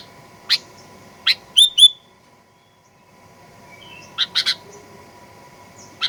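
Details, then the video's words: Lure recording of a sooty-headed bulbul meant to rouse aggressive song: a few sharp chirps, then a brief burst of quick, bent whistled notes, a short silence, and a clustered triple chirp. "Kicauan Kutilang Pikat Gacor Fighter"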